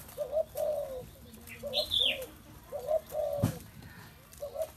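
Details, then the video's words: Spotted dove giving soft, low, hollow coos in short paired phrases, repeated with brief pauses, while a higher, thin chirp from another bird cuts in once midway and a sharp knock sounds near the end. "Chim cu gáy"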